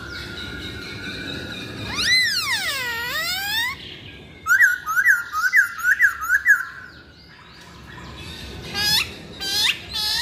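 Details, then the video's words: Lure recording of masked laughingthrush song with a long loud swooping whistle dropping and rising, a rhythmic series of short repeated notes, then sharp rising squeals near the end. "Pancingan Poksay Hongkong"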